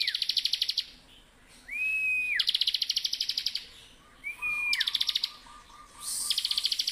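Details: Bar-winged prinia singing vigorously: it opens with a fast buzzy trill, then gives two phrases of an arched, slurred whistle leading into a rapid ringing trill, and closes with another trill.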